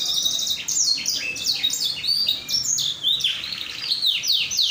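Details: Canary singing, used to coax another canary into song: fast rolling trills and bright descending whistled sweeps strung together without pause, steady and loud, with faint low background noise.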